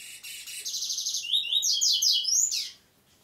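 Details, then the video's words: Double-collared seedeater singing a loud, rapid phrase: buzzy repeated notes that shift into sweeping, rising and falling twittered elements, then stop abruptly into near silence. "Coleiro, cantando só no prego."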